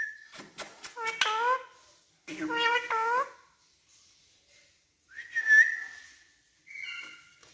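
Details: Urdu-speaking pet parrot talking indoors: two short voice-like phrases, then a pause, a rising whistle and a final shorter whistled note.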